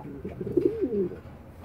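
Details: Racing pigeon, an old cock pairing with a young hen, gives a short, low, warbling coo that rises and falls over about a second, with soft, quiet surroundings.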